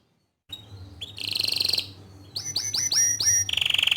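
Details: Bottle-green canary singing 'gacor' tutor song for young and untrained canaries: a short high buzzy trill, a pause, then about six loud upswept whistles followed by a rolling trill, over low hum.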